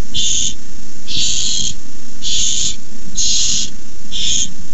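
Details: Barn owl at its nest begging as a rat is brought in, May 29, 2015: five noisy, hissing screeches of about half a second each, repeated roughly once per second, over a low background drone.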